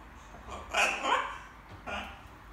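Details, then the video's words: Young macaw kept as a pet, babbling in the evening as it practises words: two close raspy, voiced syllables followed by a softer third one, indoors. "Wieczorne gaworzenie małej papużki :), Charlie papuga Ara ćwiczy sobie różne słówka"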